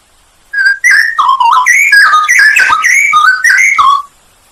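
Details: Straw-headed bulbul song used as a masteran training recording for songbirds, full of fill-in and loud 'nembak' phrases: rich, bubbling whistled warbles that slide up and down in quick succession for about three and a half seconds, with no other sounds.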